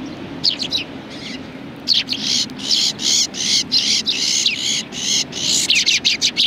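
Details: A flock of sparrows on a shrine bench at Tenmangu, 30 January 2020, chatter almost continuously: dense, buzzy, high chirps tumbling over one another at about three per second, with light traffic-like rumble underneath.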